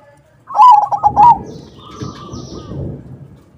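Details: Crossbred perkutut, a zebra dove, in a lure song meant to set other doves answering: one loud, fast phrase of rippling coo notes, then a quiet, drawn-out cooing reply in the background.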